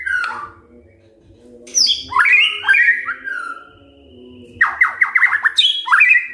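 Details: Morning song of a white-rumped shama to spur other birds into singing: a short whistle, quiet pause, loud sweeping whistled phrases, then a fast series of descending slurred notes and a closing rising whistle.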